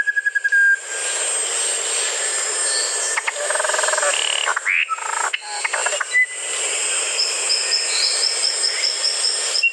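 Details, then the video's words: Musician wren song: a short whistled trill, then buzzy chatter and rising slurred notes, followed by a long quieter stretch with a faint high repeated series and steady background hiss. "SONIDOS del CUCARACHERO MUSICAL"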